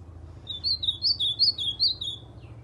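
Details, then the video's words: A white-throated seedeater sings a quick, sweet warbled phrase of about a dozen slurred whistled notes over two seconds, copying an ultramarine grosbeak's song, over a faint low hum; recorded January 2020. "Golinha cantando AZULÃO"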